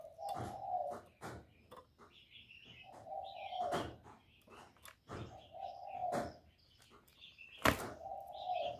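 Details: Spotted dove call used as a lure for trapping: low, steady cooing phrases about a second long, repeated every two to three seconds. Sharp knocking clicks and brief higher chirps from other birds are heard between them.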